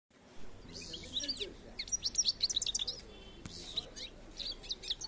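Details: European goldfinch singing: rapid bright twittering and tinkling notes in quick bursts, high and liquid, with brief buzzy trills between phrases and a short pause midway before the twitter resumes.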